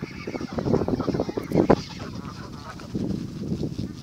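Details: Canada geese gathered for feeding at Thames Eyot, a flock giving rapid, low, nasal honks and gabbling calls that overlap continuously, peaking in a louder cluster midway.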